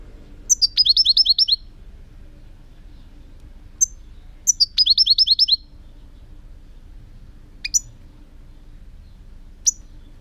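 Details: European goldfinch giving short bursts of liquid, tinkling twitters, each a rapid series of high notes, repeated after pauses with single sharp call notes between.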